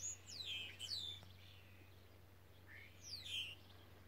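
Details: Spotless starling song recorded in Aragon, 6 June 2017: high, thin whistles swooping downward in quick succession, a brief pause, then a rising note followed by another bright falling whistle over a low background hum.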